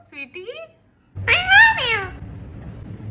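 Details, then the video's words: Pet Indian ringneck parrots indoors: a short rising harmonic note, a pause of about half a second, then a louder, nasal, speech-like squawk sliding down over roughly one second, with a low room hum underneath. "Cute Indian Ringneck Parrots Talking"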